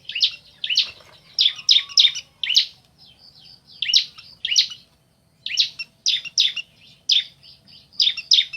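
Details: Male and female bar-winged prinia in a calling exchange: clusters of rapid, sharp, buzzy chirps with short gaps, faint thin whistles between bursts, one clear pause midway.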